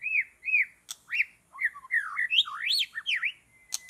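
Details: White-rumped shama with long tail, in forest during bird trapping: a continuous chain of bouncy, slurred whistles rising and falling, ending in a flat held whistle and sharp clicks.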